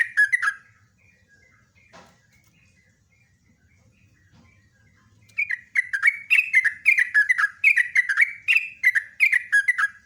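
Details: Sooty-headed bulbul song: a short bubbly burst, a long stretch of faint thin calls and a knock, then a sustained rush of rapid, bright whistled notes for the final five seconds.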